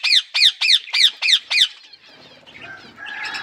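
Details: Budgerigars with growing chicks give six loud, harsh, downward-sweeping squawks in quick regular succession. Quieter chatter and murmuring noise follow.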